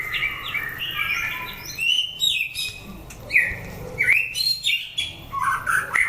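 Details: White-rumped shama singing during a fighting test of competition birds: clear whistled phrases, some sliding, others short and chirpy, given in bursts with brief pauses and a faint low background hum.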